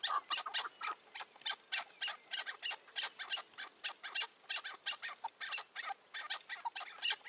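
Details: Chukar partridges around a rooftop decoy in May 2024, with wild mature birds wary of approaching: loud, clipped clucking notes repeated about three times a second in irregular runs.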